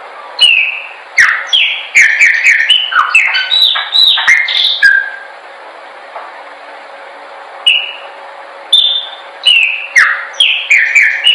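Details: Chopi blackbird song used for training birds to sing: bursts of clear, slurred whistles and sharp chirps, some rising, some falling, in two bouts separated by a quiet gap of about three seconds, with a faint steady hum beneath.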